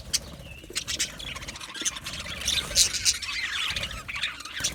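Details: Several Australian budgerigars chattering when content: continuous dense high chirping mixed with squeaky squawks and quick repeated notes, with no pauses throughout.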